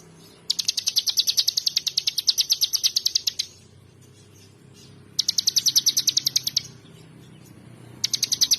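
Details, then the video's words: Gacoor-style song of a bar-winged prinia, known locally as ciblek: a long three-second stream of fast, bright, high-pitched ticking notes, a pause, then a shorter burst and the start of another. "Ciblek Gacoor"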